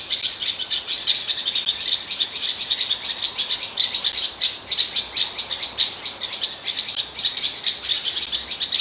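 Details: A Eurasian blackcap in Morocco, recorded about 3 m away, delivers a fast, continuous, high-pitched warble of chattering notes with barely a pause, over a faint outdoor background.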